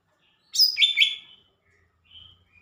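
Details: A single lively phrase from a Lesser green leafbird, a high sharp whistle dropping into two slurred downward notes, then a faint short whistle afterward in a quiet background.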